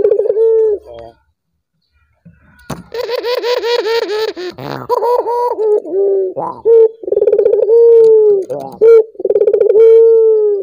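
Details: A collared dove, calling to get other doves singing, gives a falling coo, pauses in silence, then resumes with a loud rough chattering passage before settling into rolling pulsed coos and long descending notes.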